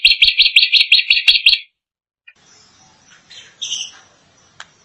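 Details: A drongo in full song opens with a fast, harsh rattle of about a dozen grating notes, then goes quieter with a few thin whistles and a soft buzzy phrase.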